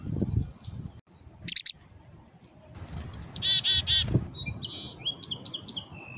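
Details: Hand-fed black-capped chickadees: a brief high double chip, then a run of rapid, evenly spaced buzzy 'dee' notes, followed by a string of quick high twittering notes, with soft low rustling underneath.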